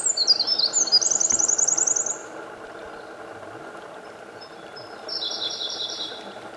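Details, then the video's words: Eurasian wren singing in morning sun in Japan, May 2014: a loud burst of high rapid notes and a buzzing trill for two seconds, a pause, then another high even trill, with low constant hum behind. "Winter Wren Part Ⅲ In Japan ミソサザイ"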